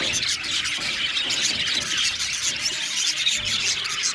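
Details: Budgerigar colony in an aviary, birds singing and chirping all together: a steady, busy blur of high-pitched squeaks and warbled twitters from numerous budgies.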